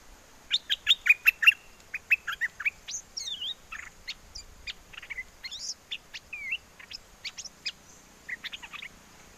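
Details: Caged bulbul from Chana, Songkhla, Thailand, singing in a wild-song style to call a mate during a windy spell in the south: a long run of bright chirps and whistled, swooping notes, dense at first, then more spaced.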